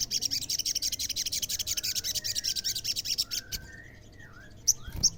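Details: Energetic olive-backed sunbird song, played to get other sunbirds to answer: a long, fast, continuous chatter of high sharp notes running for over three seconds, ending in a couple of loud isolated chips.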